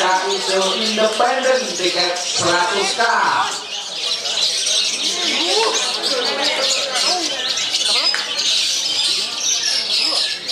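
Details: A long-tailed shrike (Lanius schach), a competition songbird ranked second at a contest and known for long rapid-fire song, pours out a fast, varied stream of sharp chirps, squawks and high warbled notes; loud human voices dominate the opening.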